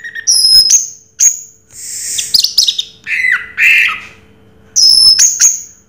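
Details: Orange-headed thrush in the Raja Teler song style, sparse very high piercing whistles alternating with harsh buzzy rasping phrases and a lower warbled segment, separated by short gaps; faint electrical hum beneath.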